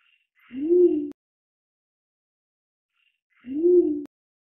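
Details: Pied imperial pigeon (Ducula bicolor) gives two deep, hollow, slightly rising-then-falling coos about three seconds apart, each about half a second long, against a quiet background.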